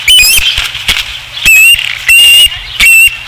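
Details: Osprey calling at the nest, Dunrovin Ranch, 5 August 2016: three strong whistled notes, each level to gently rising and about a third of a second long, with quieter chirps and rustle in between.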